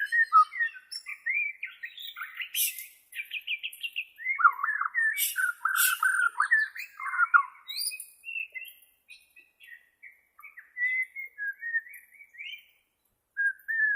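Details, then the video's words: White-rumped shama from Borneo in full song, used for training captive shamas: rich varied whistled phrases, rapid harsh buzzy bursts and warbled runs, with short pauses between strophes. "SUARA ASLI BURUNG MURAI BORNEO"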